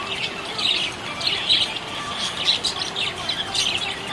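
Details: Budgerigar in a happy mood, giving chattering high chirps and rasping warbles that come in clustered bursts about once a second, over low continuous background hiss.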